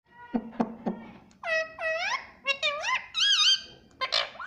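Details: Pet rose-ringed parakeet talking, saying "mummy" and "papa": a few short squeaky syllables, then a string of nasal, harmonic rising and wavering word-like notes in a small room.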